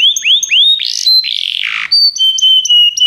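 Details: Canaries of the Begie type sing for training: three upward-curving whistles, a rough buzzy descending phrase, then a run of level high piping notes repeated steadily.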